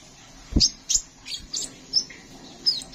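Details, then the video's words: Sunbird (kolibri ninja) in lively song: a handful of thin, high downslurred chirps spaced roughly every half second, with a soft low thump at the start. "Burung Kolibri Sepah Raja gacor"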